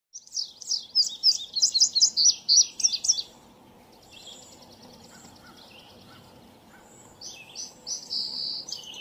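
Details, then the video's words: An indigo bunting sings a bright, high, three-second phrase of quick paired notes, then pauses before the next song, over a faint outdoor hiss. "singing of indigo bunting"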